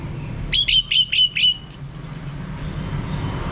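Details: Orange-headed thrush prompting song to coax a male into ngeplong singing: five evenly spaced, ringing whistled notes, then a thin, very high trilled phrase, over a low hum.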